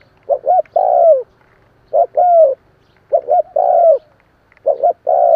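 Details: Spotted dove cooing, recorded for use as a lure call: repeated phrases, each a short double note followed by a longer drawn-out descending coo, about every 1.3 seconds, with low background hum.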